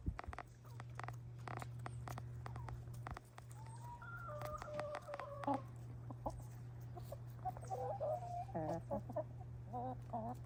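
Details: Contented pet hens eating a winter snack: clicking pecks at first, then drawn-out warbling notes and rising purring trills from several birds, over a steady low hum.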